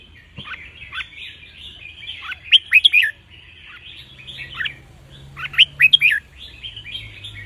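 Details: Red-whiskered bulbul, a cage bird, singing phrases played for teaching chicks to sing along: a continuous bubbly warble broken twice by loud clusters of three or four piercing upslurred whistles, about three seconds apart.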